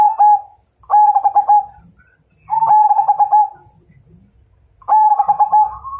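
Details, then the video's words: Zebra dove, Majapahit strain, singing to challenge another bird to fight: four stuttering cooed phrases, each a rapid string of soft notes slurring into a longer trailing coo, separated by short silences. "Suara Perkutut MAJAPAHIT Ngajak Tarung"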